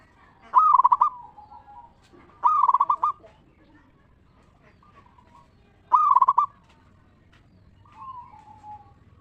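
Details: Local zebra dove singing as a decoy to get other zebra doves singing: three loud rapid-pulsed coo phrases, two close together then one after a pause, with a soft trailing coo afterward.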